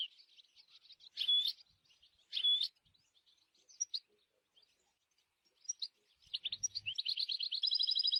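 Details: European goldfinch in the wild: scattered high twittering notes and two loud clear whistles, quieter gaps, then a rapid rattling trill building into a sustained buzzy twitter at the end.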